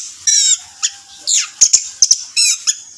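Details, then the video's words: Orange-headed thrush song: high, varied phrases of slurred whistles and harsh notes in short bursts, with sharp clicks between. "Pancingan Anis Merah Teler Gacor"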